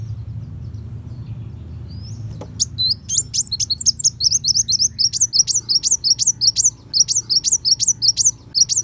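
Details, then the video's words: After about two and a half quiet seconds, a Van Hasselt's sunbird, called kolibri wulung, launches into rapid, sharp, high chirps repeated nearly three per second, a fierce 'tembakan besetan' phrase for schooling white-rumped shama. "Pancingan Kolibri Wulung Full Tembakan Besetan Pedas"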